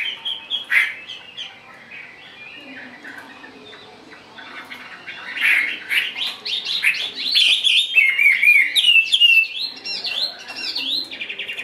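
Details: A captive Chinese hwamei sings a loud, varied run of clear whistles and slurred rising and falling phrases, building in energy toward the end.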